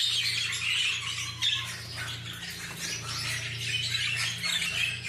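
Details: Many parakeets calling at once, a constant rasping, chirping chorus of overlapping squawks with occasional louder bursts, accompanied by a steady low hum.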